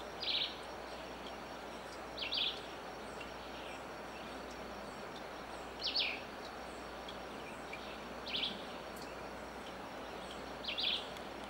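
Squirrel cuckoo giving short, sharp, high call notes about every two to three seconds, over a steady hiss of background noise.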